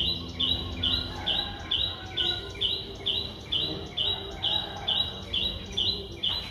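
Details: A 4-day-old Streak-eared Bulbul nestling in Ubon Ratchathani, Thailand, recorded 6 April 2023, gives a steady series of short, high, slightly rising notes, about two each second, over a faint low background hum.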